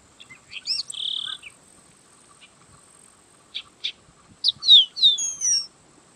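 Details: Yellow-winged blackbird (sargento) singing: scattered short high chirps, a buzzy trill near one second, then a burst of sliding, descending whistled notes toward the end.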